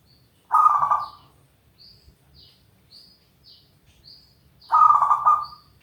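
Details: Zebra dove (perkutut) that keeps singing for more than three minutes. Two rough, trilling coo bursts about four seconds apart, with soft high thin chirps repeating between them.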